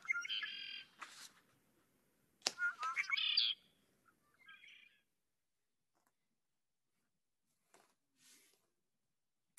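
Red-winged Blackbird giving two bright phrases: clear introductory notes, then a harsh buzzy trill, with a few fainter chips after and otherwise quiet surroundings.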